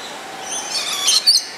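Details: Two black-capped lories, a pair, caught on a JVC GZ-HD7 camera giving two quick piercing shrieks close together at the end, high and harsh, after a soft rising rustle of noise.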